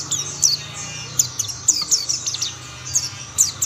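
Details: Mountain white-eyes singing, with others quickly joining in: high, thin twittering chirps and short downward-sweeping notes, delivered in quick bursts separated by brief pauses, over a low steady hum.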